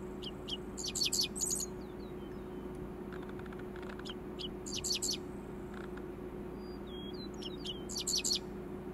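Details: A male dickcissel singing at sunrise on the prairie: a few sharp, dry notes running into a buzzy, stuttering phrase, repeated every three to four seconds, with thin whistles from another bird and a steady low hum.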